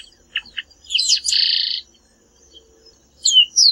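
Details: Chestnut-capped Blackbird from the Brazilian Cerrado: two short sharp chips, then a jumble of high notes running into a buzzy, rasping trill. After a pause come two more thin, slurred high whistles.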